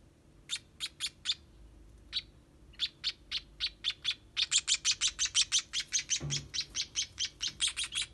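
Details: Begging chicks of a sparrow during feeding: sharp, high chirps start sparse and irregular, then speed into a dense, rapid run of about three per second, with a short low thump near the end.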